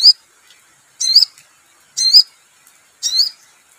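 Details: Sogon bird in full song: four bright, high, wavering whistled phrases about a second apart, each with a quick looping twist, over a quiet background.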